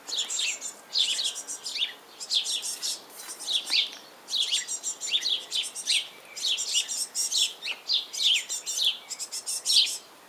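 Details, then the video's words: Hungry Great tit nestlings beg for their parents to feed them, in a continuous high chorus of thin, rapid, overlapping chirps and hisses rising in bursts every second or so. "Koolmeesjes, honger!"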